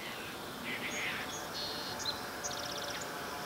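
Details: Allen's hummingbird (Selasphorus sasin) at Upper Newport Bay, Orange County, California, giving thin, high chip notes, then a quick burst of rapid, buzzy ticks, over a steady background hiss.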